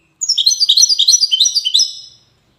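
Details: Moroccan goldfinch from the city of Safi giving a brisk two-second string of bright twittering notes, quick and evenly pulsed, fading away at the close.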